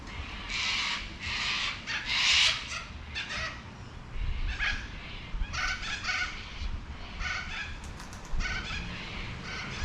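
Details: Wild cockatoo in a backyard in Adelaide, South Australia, giving a dense run of harsh, raspy screeches in quick succession, several loud bursts close together, over a steady low rumble in the background.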